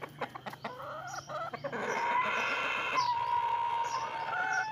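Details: Rooster crowing among hens: a run of short clucks leads into one long, drawn-out, harmonic-rich crow held steady for about three seconds, with faint small-bird chirps in the background.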